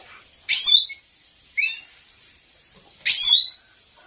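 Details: European goldfinch, captive, female calls intended to excite male birds: three harsh buzzy bursts, each ending in a bright rising whistle, spaced one to one and a half seconds apart.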